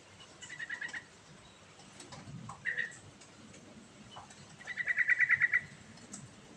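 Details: Rolling, varied song of a sooty-headed bulbul, played to coax a bird that has stopped singing: a short trill, a brief slurred note, then a long run of rapid pulsed notes, over soft low background noise.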